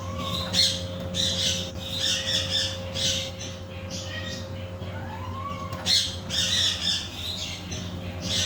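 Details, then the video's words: Macaw parrot calling in a string of rasping, noisy squawks spaced roughly a second apart, with two brief rising-falling whistles between them; a low electrical hum persists throughout. "macaw parrot"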